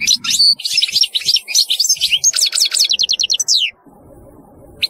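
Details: European goldfinch in a lively, almost unbroken run of high, rapid twittering and trilled notes lasting nearly four seconds, with quick descending slurs near the end.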